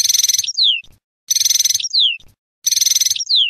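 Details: A goldfinch note type given three times: a dense, high, fizzing trill followed by a clear whistle that slides steeply downward, about every 1.3 seconds, with soft low clicks in between.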